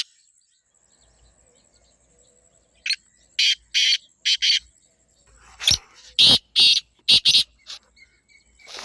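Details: Two grating phrases from a black francolin, each made of four or five loud, coarse, buzzy notes, separated by a quiet pause.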